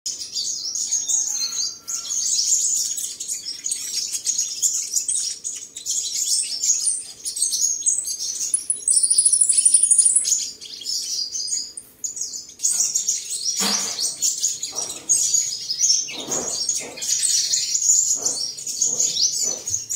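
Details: A kept "seven-colour" sunbird in Tân Phú, Đồng Nai, Vietnam, recorded 22 July 2022 while singing and displaying, gives a fast, high, thin stream of twittering chirps and sharp tweets.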